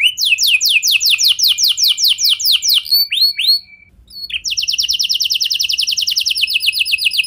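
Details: Canary song intended to draw other canaries into singing: measured falling whistled notes, a brief pause, then a very fast, even, rolling trill.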